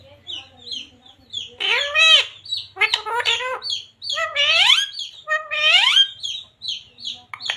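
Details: Talking parrot taught devotional words like radhe radhe and sita ram: several voiced, speech-like phrases with bending harmonics, interspersed with sharp high chirps that continue between the words.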